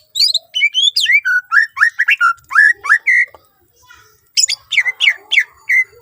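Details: Greater green leafbird in fluent, varied song to prompt other leafbirds to sing. Ringing whistled notes fall and rise in quick succession, pause, then return as sharp chirps and downslurs.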